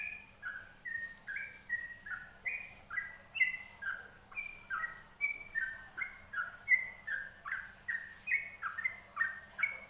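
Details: Yellow-vented bulbul song as a training recording: a rapid run of short bubbly, slurred whistled notes, each rising or falling, chained without pause across about ten seconds, with a faint steady low hum underneath.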